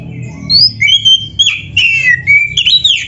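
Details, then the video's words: White-rumped shama (kacer) with lively varied song used as a training master: fluty whistled notes that rise and fall, overlapping high and mid-pitched phrases in quick succession. "SUARA BURUNG KACER GACOR ISIAN‼️Masteran Kacer Gacor ini Cocok Buat Pancingan - AGAR CEPAT GACOR"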